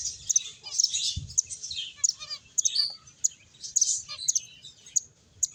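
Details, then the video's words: Finches playing and eating: separate sharp high chirps and short twittered phrases from several birds, with a brief low knock early on. "Cute Birds Chirping Sounds | Beautiful Finches Playing and Eating"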